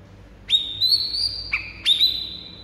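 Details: White-rumped shama song meant to stir a rival bird into singing: three clear, long, level whistles, one dropping abruptly partway, over a quiet low hum.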